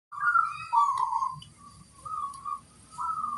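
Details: Local zebra dove in full song with a big 'kung' voice: low mellow cooing phrases, a rolling note then stretched flat coos with short gaps, over faint low background hum.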